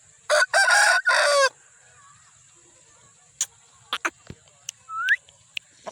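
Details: Aseel rooster in Pakistan crowing in three harsh bursts over about a second, followed by scattered clicks and a short rising squeak.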